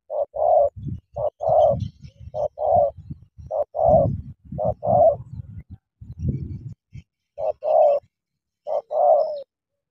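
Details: Decoy spotted dove squaring up to a wild bird to fight repeats short paired coos about every second, mixed with bursts of low grunting thuds and knocks, the calls pausing briefly before resuming.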